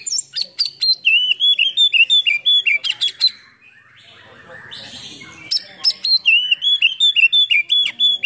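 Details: White-rumped shama (kacer) in full song with tail spread, a lure recording meant to rouse silent birds; rapid repeated sharp whistled and chattering notes in quick bursts, a brief pause with soft murmuring, then the fast series resumes.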